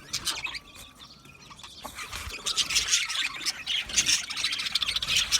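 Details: Budgies in chorus: a few thin whistled notes at first, then growing, busy high chirping and squawky chatter through the rest.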